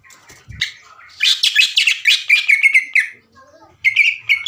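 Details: Greater green leafbird singing a long chattering 'sewing machine' burst meant to stir other leafbirds to sing: dense, loud, varied high chattering notes in quick succession, a brief pause with a low rising note, then more sharp high notes.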